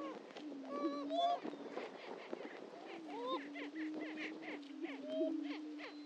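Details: Historic lek of greater prairie-chickens at Dunn Ranch Prairie, Hatfield, Missouri: droning low hoots, several rising whoop calls and arched squeals, with a steady background of clucking.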